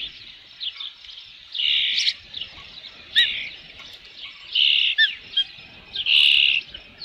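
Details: Late-afternoon Osprey calls at a nest with a fish on 3 June 2018: three strong, shrill whistled bursts about two seconds apart, with softer chirps in between over a quiet background.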